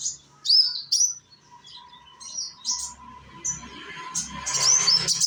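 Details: Indonesian konin sunbird, a young bird used as a singing lure: high, upslurred whistles and short chirps in spaced bursts, ending in a brighter twittering run, with a faint steady tone behind.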